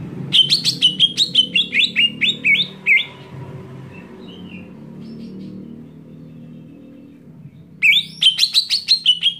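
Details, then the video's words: Greater green leafbird screaming, a sound said to anger other leafbirds. Starts with a long run of harsh, piercing notes repeated several times a second and stepping downward. A lull with faint low noise follows before another loud shrill burst. "JERITAN CUCAK IJO BIKIN EMOSI IJO LAIN"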